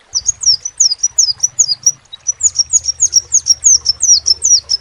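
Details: Rapid series of piercing, downward-flicking crimson sunbird notes at a steady quick beat, pausing once near the middle, accompanied by a faint low background hum.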